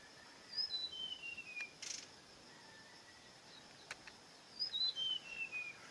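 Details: Bird song with two clear whistled phrases, each a quick run of sliding notes stepping down from high to lower pitch, the first near the start and the second near the end, separated by quiet with faint background hiss and a few brief clicks.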